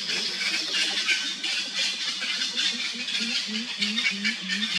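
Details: Grey-winged trumpeter (Psophia crepitans) gives a steady series of deep, short hooting notes, about three per second, over a loud background hiss of insects.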